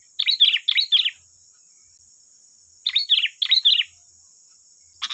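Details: Provoking song of a sooty-headed bulbul, intended to get others to sing back: paired rolling chirped phrases, a long gap, then another pair, with a continuous high hum throughout.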